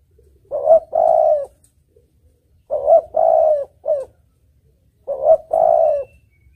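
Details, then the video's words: Spotted dove cooing in three phrases about two seconds apart, each a quick lifting note, a sustained mellow coo and sometimes a short tail note, clean and clear for use as a lure. "Suara Burung Tekukur Merdu Jenih"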